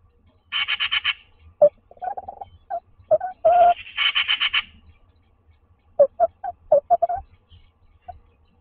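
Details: Tawny owl pair in a nest box in Toledo, Castilla-La Mancha, calling during courtship in daylight. Bursts of rapid raspy trills alternate with clusters of short, soft, yelping notes.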